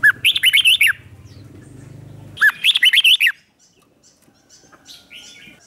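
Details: Red-whiskered bulbul singing as a lure for wild birds: two rapid phrases of loud, bouncing whistled notes over a low buzzing hum, then softer distant chirps.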